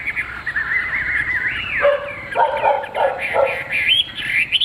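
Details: Captive Chinese hwamei, a fig-leaf-tailed bird described as singing well: a run of clear whistled notes slides and rises, then breaks into lower, fuller warbled phrases alternating with high sweeping whistles.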